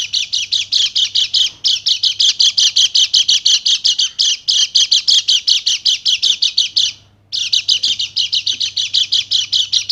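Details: Bali white-eye song, a female's voice meant to stimulate males: long fast stream of buzzy, rattling high notes about three per second, nearly continuous for ten seconds with one short pause, over a faint steady low hum.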